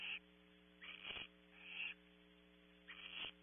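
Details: Barn owl owlet at its nest, Audubon Starr Ranch, California: four rasping, noisy hisses, some drawn out nearly half a second, with a constant background hum.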